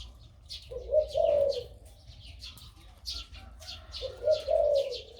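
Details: Two deep, rolling coo phrases from a crossbred dove with a big 2-3 kuk voice, the bird almost a year old, with soft chirping of other birds in the background.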